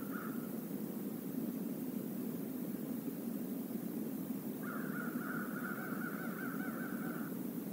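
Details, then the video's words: A murder of crows comes to the stream area at the Decorah North eagle nest on November 28, 2021. After one brief caw comes a long stretch of overlapping, drawn-out hoarse calls lasting several seconds, set against continuous rushing water. "A murder of crows visits the stream area"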